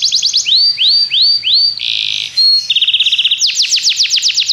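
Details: Varied tours from a Belgian canary used to train canaries: arched rising-falling whistles, a short harsh buzz, a flat rapid trill, then quick bright downward sweeps.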